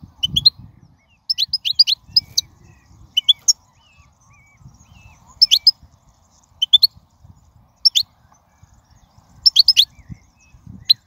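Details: Wild European goldfinch singing: bursts of bright, tinkling high twitters and short chirps, sometimes doubled, repeating every second or so with brief pauses, plus faint low rumble in the background.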